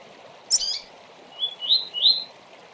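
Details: Double-collared seedeater giving the fast tui-tui song, played to train young birds for tournaments: a sharp high note, then three quick rising whistled phrases, over a steady background hiss.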